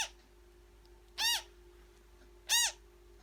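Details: African grey parrot newborn being fed, uttering two harsh arched calls about a second apart, with a steady background hum.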